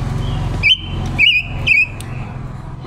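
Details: Silver-eared mesia female decoy singing a wild-type song, October 2021, used as a trapping lure and voice trainer; three drawn-out whistled phrases over loud low rumbling background noise.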